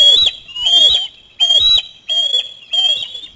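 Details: Young osprey screaming at a parent's fish delivery to the nest; piercing high whistles come in bursts roughly every half to one second, with slight rising and falling inflections.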